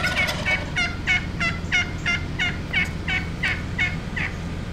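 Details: Wild turkeys, lots of them together in one place, with one close bird giving a fast gobbling rattle of evenly repeated throaty notes, about three per second, over a low steady hum.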